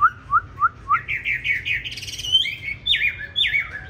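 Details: Green-eyed hwamei singing a fighting song meant for training other hwamei to sing smoothly; four spaced rising whistles, then quickening chirped notes, a brief rough trill, and long descending slurred whistles repeated.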